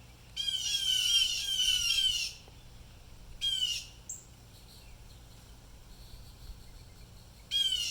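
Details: At least three blue jays giving distress calls; a long run of harsh raspy squawks, then single shorter bursts, with a faint high whistle between.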